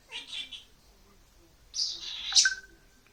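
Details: An 8-month-old male Senegal parrot, happy, gives two bursts of bright, high chirps and squeaky kissing sounds, ending in a thin whistled note, in a quiet indoor room; he also says "hey cutie".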